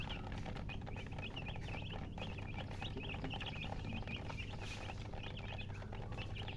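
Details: Loud chirping from just-born chicken chicks: rapid, overlapping high peeps, each short and bent, forming an unbroken chorus over a low droning hum.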